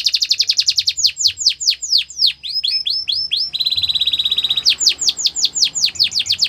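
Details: A canary sings training song: quick bursts of chirps, ringing downward-sweeping whistles, a buzzy sustained trill in the middle, then more fast falling notes repeated in rhythm.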